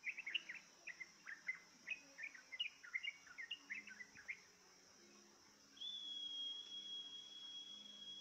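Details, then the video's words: Lured by a recording, a trucukan (yellow-vented bulbul) answers with about four seconds of quick bubbly chirps, then falls silent while a long, steady thin whistle and a background hum continue. "dijamin trucukmu gak takut tapi malah ikut bunyi"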